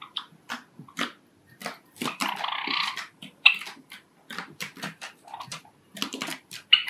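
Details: Java sparrow singing its courtship song indoors, one of five pet birds: rapid clicking and ticking notes with a brief buzzy rattle in the middle, then more dry chips and a final bright note.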